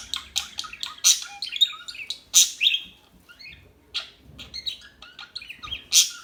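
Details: Small birds chirp busily in a calm chorus: rapid high tweets, brief rising whistles and occasional loud squeaky notes, with a soft low rumble underneath.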